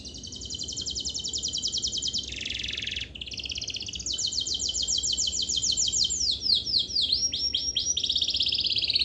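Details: Canary singing a long, continuous 'gacor' song used as a lure to stir lazy canaries into singing: fast rolling high trills, a brief buzzy rasp in the middle, then quicker descending sweeps and bright chattering phrases.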